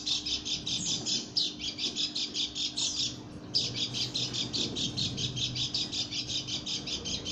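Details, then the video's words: Female white-eye from Lombok giving an unusual call: fast buzzy chattering pulses in rapid rhythmic series, several per second, with a brief pause midway, over a steady low hum. "burung pleci lombok suara aneh"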